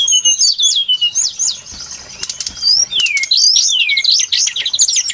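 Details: Brown-chested jungle flycatcher singing for a bird-trapping lure recording: rapid, varied whistles sweeping up and down, some looping notes, a brief pause near the middle, then a denser burst of twisting phrases.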